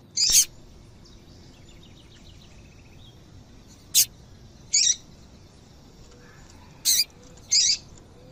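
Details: Call of a female double-collared seedeater, meant to set males singing: five brief, high chips spaced unevenly over eight seconds, with a faint soft twittering between them.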